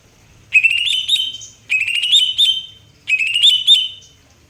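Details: Three loud, ringing whistled phrases from a greater green leafbird, each lasting about a second with a slight upward lilt, repeated at steady intervals against near silence.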